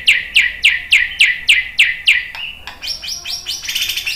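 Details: White-rumped shama, used as a lure to make birds answer and sing; a rapid series of about eight bright, sharply down-slurred notes, evenly spaced, then higher buzzy, chattering phrases.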